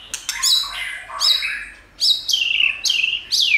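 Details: High, sharp White-rumped shama phrases, each a click followed by a falling whistled note, given five or six times with short gaps. Used as a training song to excite shamas.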